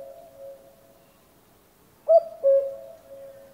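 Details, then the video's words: A single common cuckoo call, a short higher note followed by a longer, lower held note, preceded by a faint steady tone and near silence. "Kukułka odgłosy / Kuckucksruf / Odgłos kukułki / Kuckuck sound"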